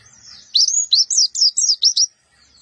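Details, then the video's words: Black-eyed Javan white-eye giving a rough-voiced song of short bursts: a quick run of about eight bright, high, sharply rising and falling chirps lasting around one and a half seconds, then quiet. "pleci Monty mata hitam,, suara kasar nembak pendek"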